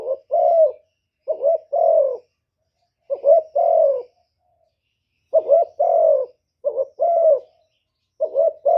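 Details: Spotted dove cooing in the 'thổ thúc' style to stir up wild birds. Mellow low coos come in paired phrases, a short stuttered note then a sustained falling one, repeated steadily across the recording with clean quiet between.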